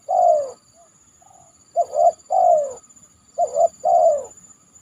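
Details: A spotted dove, after a heavy downpour on a banana trunk, gives a long falling coo then two full phrases of two short coos and a longer descending note, closely spaced, over a faint high continuous hum.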